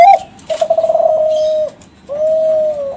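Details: Kelantan zebra dove, a young bird from champion contest stock in captivity, calling as a lure for other doves. A hooked opening note is followed by a fast rattling coo that settles into a long steady tone, then a second sustained coo.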